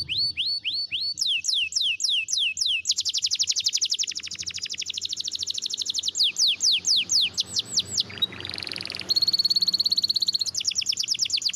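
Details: Spanish Timbrado canary singing a training song: phrases of rapid descending notes, a long fast trill, a dense buzzy passage, then a steady high rattling trill, each section shifting abruptly.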